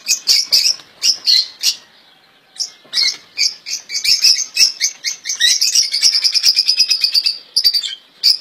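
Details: Royal goldfinch song from caged European goldfinches: lively chirps, a brief pause, then dense twittering that runs into a long, fast buzzy trill before ending with a few sharp notes.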